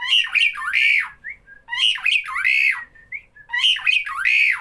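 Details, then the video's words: Starling that calls each time people are present, delivering rapid raspy squawk phrases with rising and falling buzzy notes and short chirps between, three loud bursts closely spaced. "Burung Jalak Bila ada orang selalu bunyi"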